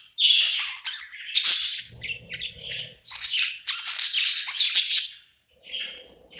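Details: Pet budgerigar at night, settled and happy in a new home, singing: a busy run of chirps, squawky notes and warbles in a small room, broken by short pauses, with a faint low hum partway through.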